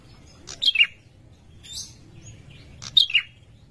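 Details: Male prinia in breeding condition calling a female: two short, sharp high chirp bursts about two and a half seconds apart, each a quick falling double note, over faint background hiss.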